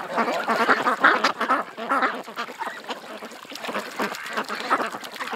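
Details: Loud, rasping quacks from a group of ducks at a creek, tumbling over one another early on, then thinning to scattered calls.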